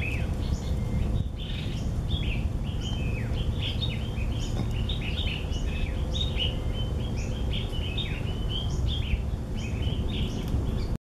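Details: Chestnut bulbuls (Hemixos castanonotus), several birds overlapping, give a steady stream of short, bright chirps and twittering notes over a constant low rumble of background noise.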